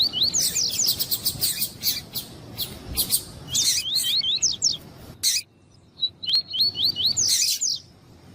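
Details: Double-collared seedeater in tuí-tuí song, with a female calling to excite the male: dense runs of high, upslurred whistles, a short pause, then a cleaner series of rising notes and sharp chips.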